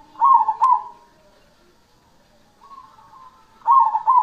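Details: Zebra dove, cemani type, singing: two loud clipped coos, a pause, then a faint rising trill and another pair of loud, stuttering coos.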